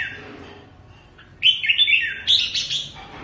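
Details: Red-whiskered bulbul, a selected fighting decoy bird used for trapping, from Cao Bằng, singing loud, bright, warbled phrases that rise and fall quickly, two bursts in quick succession over faint background noise.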